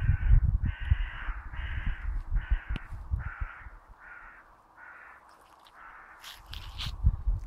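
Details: Raven calling from a treetop, a rapid run of about eight harsh, grating caws, each short and flat, spaced less than a second apart, with low wind rumble underneath and a few fainter notes at the end.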